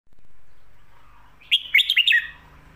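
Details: Red-whiskered bulbul singing the Thai song style called 'Phat Kuai Tiao' or 'Khayao Khuat', used to teach pet birds at home. It gives one quick phrase of about five bright, bouncing whistled notes after a quiet start.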